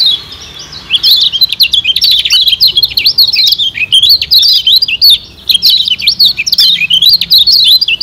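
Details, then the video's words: Yellow white-eye (kecial kuning) from Lombok, a recording used as a lure to stimulate wild birds. It sings a continuous rapid twittering of high, sharply bending chirps with short trills, hardly pausing across the whole stretch. "Pancingan Kecial Kuning"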